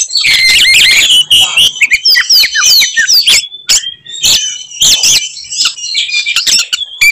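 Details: Oriental magpie-robin fighting song intended to anger rival birds; rapid rising and falling whistles and trills at first, then sparser sharp notes and sustained high tones with short clicks.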